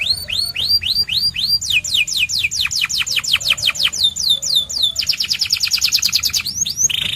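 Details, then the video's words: Loud white canary song built of repeated rising sweeps, then a cascade of quick downslurred notes, a rapid metallic trill and a short steady whistle at the end, each phrase changing pace. "The Best White Canary's Singing"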